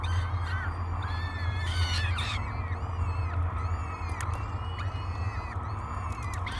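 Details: Nest-cam recording of three hungry peregrine falcon chicks being fed breakfast, Great Spirit Bluff, 24 May 2022; a run of harmonic, arching whining calls, louder early then in spaced bouts, over low steady hum.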